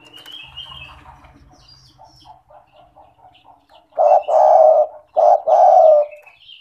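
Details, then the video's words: Lively 'gacor' spotted dove cooing, played as a lure to get reluctant doves to call: after faint chirping, two loud, low hollow coo phrases, each a short note followed by a longer drawn-out one. "Pancingan bunyi suara burung tekukur gacor cocok untuk terapi tekukur malas bunyi"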